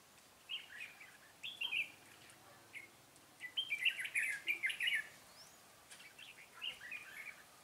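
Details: Red-whiskered bulbul used as a decoy during trapping on 13 March 2017, singing a fighting song: short bursts of bright, chattering warbled phrases separated by quiet pauses, with the longest burst in the middle.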